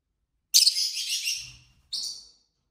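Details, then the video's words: Chirping from a group of six pet lovebirds of several colours playing with a toy: a long, harsh, scratchy chirp lasting about a second, a brief soft thump, then a shorter rasping chirp. "lovebird singing & chirping sounds"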